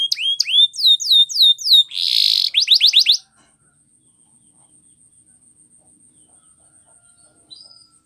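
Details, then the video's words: Canary training song: brisk slurred whistles and a short buzzy trill for about three seconds, then near silence with a faint high tone. "Canary singing Training Video"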